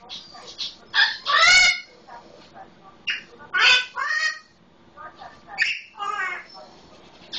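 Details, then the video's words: Solomon Island eclectus parrot, a pet, imitating a red-lored amazon: a series of loud harsh squawks and raspy chattering phrases with wavering harmonics, spaced irregularly about every second or two. "SI Eclectus - sounding just like our red lored amazon"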